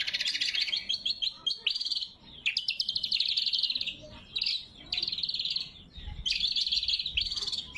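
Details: Loud lesser green leafbird song offered as lure and tutor recording: dense fast trills interrupted by brief pauses and quick sharp notes, phrases varying slightly in pitch.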